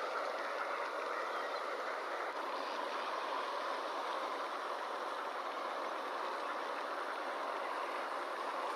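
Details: A steady, even hiss of rushing water or surf runs throughout, with no animal calls standing out.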